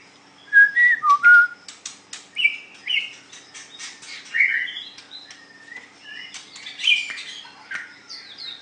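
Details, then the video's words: White-rumped shama in a singing contest: scattered clear whistled notes and short slurred phrases separated by gaps, with clicks and rasping bursts between them. "Cara Mengadu kekuatan Ocehan Burung Murai batu white rumped shama"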